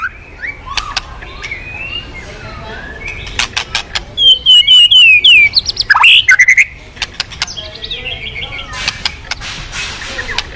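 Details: White-rumped shama song played to prompt other birds to sing: scattered sharp clicks and chips, then a loud burst of high sliding whistles and rattling notes midway, with faint traffic behind.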